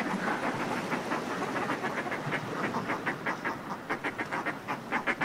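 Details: Northern fulmars in groups displaying on cliff ledges, recorded close up, give rapid runs of harsh, pulsed cackling notes over a steady wash of sea below.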